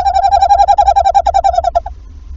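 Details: At a Wassenaar tawny owl nest on 11 February, evening, after the first egg is laid, the male calling and the female replying. Rapidly pulsed, wavering trill for nearly two seconds, slowing into separate notes, then silence.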